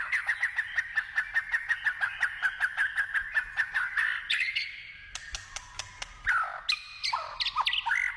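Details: Wild white-rumped shama in forest: a long run of rapidly repeated pulsed notes, about three per second, followed by varied loud whistled and swooping phrases, with clicks.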